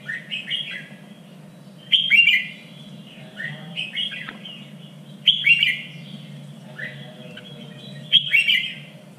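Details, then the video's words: Red-whiskered bulbul contest song used to train fighting birds, in a standard voice of Vietnam's three regions: short bright warbled phrases with sharp high notes, repeated about every three seconds over a steady low hum. "LUYỆN CHÀO MÀO ĐẤU || GIỌNG CHUẨN 3 MIỀN"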